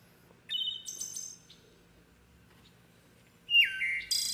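Hermit Thrush singing two phrases, each opening on a long pure whistled note followed by a quick higher flute-like flourish, with a pause between them.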